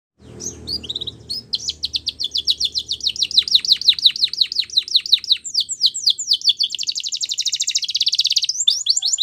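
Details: Canary song used for training young canaries: a long, very fast trill of high, downswept notes that grows steadily louder, shifting near the end into a denser, buzzy rolling trill.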